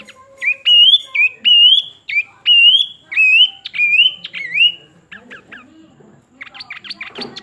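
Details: ['Pin-striped tit-babbler repeating a loud, upslurred whistle about seven times in under five seconds, then breaking into a rapid, harsh chattering series.']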